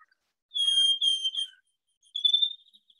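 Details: Field sparrow song in Colorado: a few clear, sweet whistled notes starting slow, then a quicker, accelerating run of higher musical notes, like a bouncing ping-pong ball.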